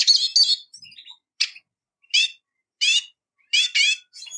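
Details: Eurasian siskin giving short, separate twittering notes, loose pairs of bright chirps spaced by gaps of about half a second, with quiet faint notes between them.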